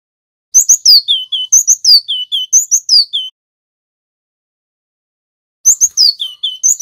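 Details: Male cinereous tit, local Javan wingko type, in rolling ngerol song meant as a master track for wild-caught birds: a rapid string of piercing chips and falling whistles, a long pause, then the song starts again.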